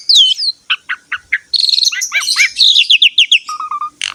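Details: Highly vocal Asian pied starling, a master recording for training other birds: a curling high whistle, a run of short chirps, then dense rising-falling notes and a brief low whistled trill.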